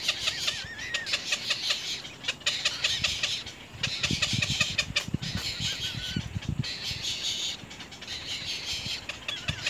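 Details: Nestling little egrets going for their mother with hard bites: rasping chatter in surges, a few drawn whistled notes, and low thumping knocks near the middle.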